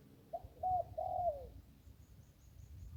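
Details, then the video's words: A caught zebra dove, a long, large bird, perched on a branch near a pond by the Ping river, gives one short coo, then two longer rolling coos dropping at the end; faint high chirps and low rumble follow. "ได้นกโล่ง 1กุกขันเพราะๆ"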